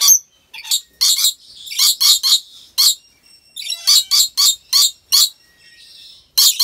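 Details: Rainbow lorikeet at a zoo in Aceh, Indonesia, uttering short, shrill, scratchy chips in rapid irregular series, with a thin whistled tone drifting between notes.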